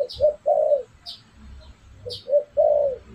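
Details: Spotted dove lure call for attracting wild doves: a low cooing phrase of two short notes and a longer drawn-out coo, given twice with a faint high chirp before each phrase, over light background hum.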